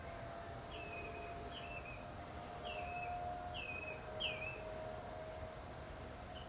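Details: Spotted redshank stopping over in the Uitkerkse Polder before migrating south gives about six clear, slurred whistles, each dropping slightly in pitch, less than a second apart, over a steady low hum.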